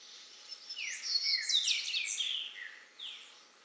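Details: A male double-collared seedeater sings while feeding on grass seeds in Caparaó National Park, Alto Caparaó, Minas Gerais, Brazil, on 9 January 2017 at 09:14. It gives a quick, high jumble of sweet twitters and buzzy slurred notes for about three seconds. A green-winged saltator sings in the background over a faint hum.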